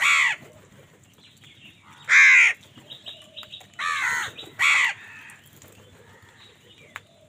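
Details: Angry house crows competing with other birds for food, giving loud hoarse caws spaced a second or two apart, with faint high chirps in the gaps.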